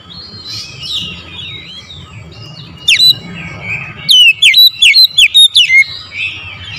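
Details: Soft, varied warbling first, then a loud oriental magpie-robin phrase of about eight sharp down-slurred whistles in quick succession, part of a morning lure song meant to stir other magpie-robins.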